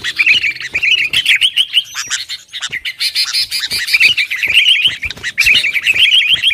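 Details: Sooty-headed bulbul pouring out busy gacor song meant to heat up rivals: continuous quick, trilled warbling phrases with harsh chatter, briefly dipping near the middle before resuming.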